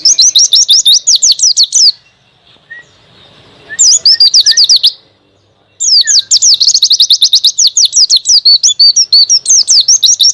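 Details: White-eye in a tutoring recording of the lively song style called ngalas: very high, rapid twittering bursts of upslurred whistled notes lasting about two seconds, broken by near-silent pauses with a few faint soft chirps.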